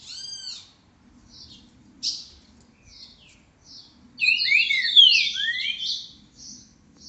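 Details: Green-winged saltator, boca mole song type, at 10:40 on 29 December; a few separate short whistled notes and slurs, then a loud, dense tumble of descending and rising whistles, ending with soft scattered notes.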